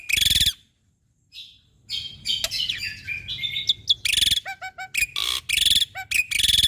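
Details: Black-winged starling song used to tutor caged birds: loud harsh rasping bursts alternating with squeaky whistled slurs and short clipped chirps, with brief silent gaps between phrases.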